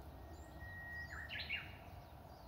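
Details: Japanese bush warbler singing in spring on the grounds of Matsumushi Temple, an old temple in Inzai, Japan, beside old cherry trees in full bloom: a long level whistle, then a quick, loud warbled flourish. Faint high chirps from other birds and steady low background rumble.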